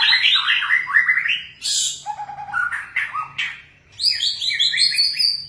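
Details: White-rumped shama delivering dense, rapid song: falling whistled notes, a harsh burst, a low buzzy trill, then sharp chips and a fast high warbling run, with faint low hum behind.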